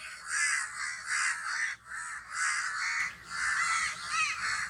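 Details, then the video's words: Crow giving long, harsh, drawn-out caws in three sustained bursts, each lasting close to a second, separated by brief dips. "crow noises sounds"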